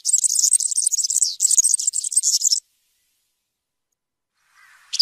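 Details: European serin song: two quick bursts of high, tinkling, buzzy twittering lasting about two and a half seconds, then silence, with a faint lower note and a brief high chirp at the end.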